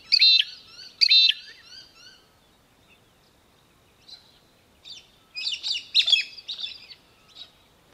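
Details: Australian hobby (Falco longipennis), Victoria, Australia, December 2023, giving sharp, high chattering notes: two loud bursts a second apart, then scattered fainter calls and a busier flurry near the end.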